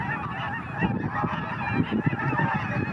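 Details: Flock of cackling geese taking off together, noted as fairly quick to lift off. Overlapping nasal honks crowd the three seconds in a steady jumble, over a heavy low rumbling noise throughout.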